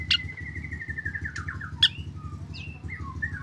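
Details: Black drongo singing to get other drongos to join. A long run of whistled notes steps steadily downward, cut by two sharp chips, then scattered short whistles, over a low rhythmic hum.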